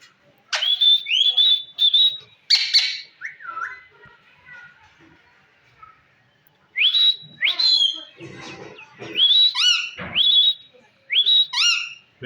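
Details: Talking Indian green ring neck parrot kept as a pet: bursts of rising whistles and speech-like chattering syllables, a quiet pause of about three seconds, then more whistles and harsh layered squawks.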